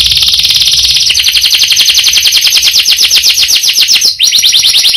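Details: Canary long roll: an unbroken high, fast-pulsing trill throughout, changing to a slightly slower rolling rhythm after one second, with a tiny break near the end.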